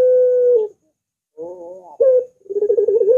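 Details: Puter dove recorded as a lure for other puters. A long coo ends, then softer wavering notes, a sharp accented note, and a quick rolling burble climbing back into a sustained hoot.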